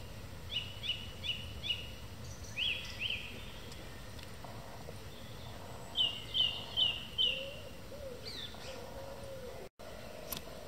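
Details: Song thrush singing in the evening: a whistled phrase repeated four times, a louder pair of notes, then a different high phrase repeated four times, with soft lower notes and faint background hum.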